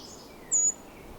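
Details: On an evening in the breeding season, a Brown Creeper creeping up cedar trees and carrying food, including a harvestman, gives a very high, thin, slightly falling beep of a fifth of a second, perhaps to contact another creeper, over quiet hiss.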